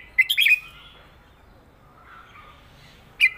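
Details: Red-whiskered bulbul kept as a cage bird, singing a southern Thai song pattern with trills, recorded for teaching birds: a quick burst of bright chattering notes, a long pause, then one sharp closing note.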